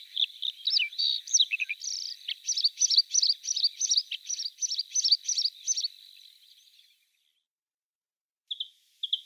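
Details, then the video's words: Bluethroat, Luscinia svecica, in song: varied high phrases give way to a rhythmic run of ringing double notes repeated several times a second, then a pause and two isolated short notes. "Варакушка (Luscinia svecica) - голос"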